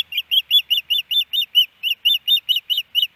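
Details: Hellgate Canyon ospreys in Missoula, Montana, April 12, 2019, the male quieting the female at the nest: a brisk series of about fourteen clear, high, arched whistled chirps, with one brief gap midway.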